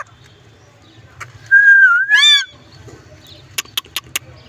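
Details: Green ringneck parrot giving a clear whistled note that dips then rises into a loud harmonic-rich rising call, followed by a few short sharp clicks; a person says hello and meow beforehand, low hum throughout.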